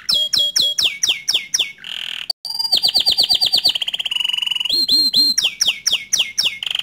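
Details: Canary with bottle-green plumage singing a model song for young and untrained birds: repeated downslurred whistled notes, a brief gap, then fast trills, a flat rolling tour and more slurred notes, loud and lively.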